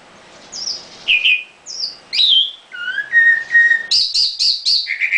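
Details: Caged nightingale song: falling high whistles, drawn-out mid-pitched notes, then a rapid series of sharp high repeated notes ending in a lower trill.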